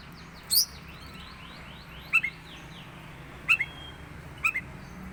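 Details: Oriental magpie-robin, teler type, uttering unusual sounds: a high sharp note followed by a faint rapid ticking series, then paired short whistled chips repeated about once a second.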